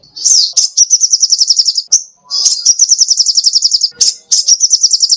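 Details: High trilled song of a sogoh ontong songbird in full voice, recorded as tutor material for caged songbirds: three bursts of rapid, evenly spaced sharp notes, separated by short pauses and clicks.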